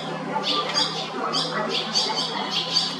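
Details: Barn Swallow chicks in a nest at JR Shinodayama station, Japan, uttering high, scratchy cheeps in uneven bursts over a low steady hum.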